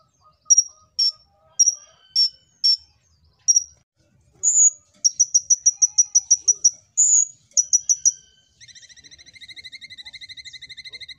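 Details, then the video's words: Kolibri ninja singing persistently, played as a lure to make other birds sing: rapid high sharp chips repeated in bursts, a quick run of about ten ticking notes, then a steady buzzy harmonic trill to the end. "Pancingan Ampuh‼️Kolibri Ninja Gacor Untuk Burung Bahan Ombyokan"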